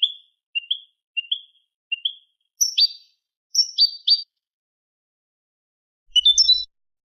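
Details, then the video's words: Manolo-style Eurasian goldfinch tutor recording for young goldfinches and hybrids: four soft upslurred whistled notes, then sharp descending chips, and a final short twittering burst with a faint low thump. "شريط كوبية ملقا (Manolo) original لتلقين فراخ الحسون والهجين"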